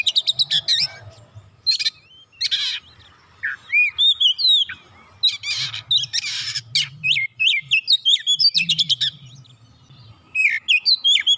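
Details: Rich, varied song of an Oriental magpie-robin, used to stir quiet birds into song: continuous whistles, slurred upslurs and downslurs, mixed with many scratchy buzzing bursts over eleven seconds.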